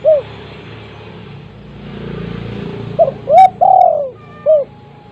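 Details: Spotted dove with a big voice, kept as a lure bird: low hooting coos, a short note, a pair, and then a drawn-out falling coo, over steady background hiss.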